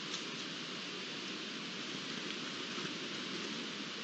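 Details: Even, rain-like hiss throughout, with no animal calls.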